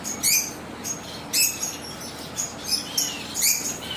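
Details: Chirping from zebra waxbills kept in an aviary: high, sharp tweets recurring every half second to a second, some with brief falling or rising slurs, over a faint steady hiss.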